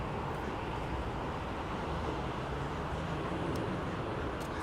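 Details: Steady low rumble of aircraft and traffic noise with no animal sounds.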